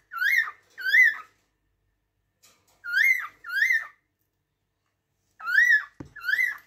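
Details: Chirps of a cockatiel delivered in pairs of arching whistled notes, three pairs separated by short pauses, with a single knock near the end.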